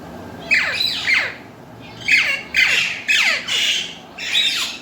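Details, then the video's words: Pet Alexandrine and Indian ringneck parrots, kept as talking birds speaking Urdu and Hindi, indoors; harsh, raspy, downward-sweeping squawks given singly and in quick pairs, about five bursts with short pauses between. "alexandrine and ringneck talking parrot"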